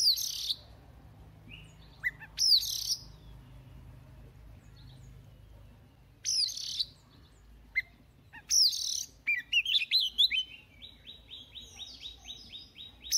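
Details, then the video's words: Oriental magpie-robin, a newly caught bird practising its song in the morning, gives loud rasping phrases with whistled slides, scattered sharp notes, then a quick run of repeated high chirps. "Choè than bổi lên hót luyện giọng lên lửa mỗi sáng"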